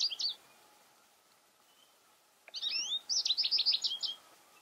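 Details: American goldfinch at a sunflower-seed feeder in winter, birds in duller winter plumage: a brief high twitter, then after a pause a rapid run of bright, sweet, rising and falling notes, about a dozen quick syllables in a tumbling phrase.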